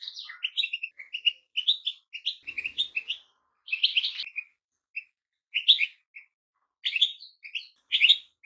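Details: Sparkling goldfinch song: clusters of quick metallic twitters and trills separated by short gaps, repeated phrase after phrase.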